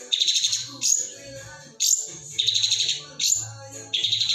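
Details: Long-tailed shrike singing a full mixed fill-in song: harsh, buzzy high bursts of about a second each, separated by short gaps, with faint low droning tones underneath.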